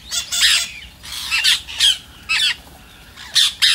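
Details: Rose-ringed parakeet call meant to prompt other parrots into singing: a few short, harsh, grating squawks in separate bursts, with quiet gaps between them.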